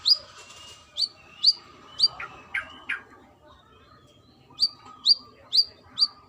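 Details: Calling female brown-throated sunbird with a run of high flicked chirps, a few lower buzzier notes, a pause of over a second, then four more crisp chirps. A soft steady tone sounds underneath.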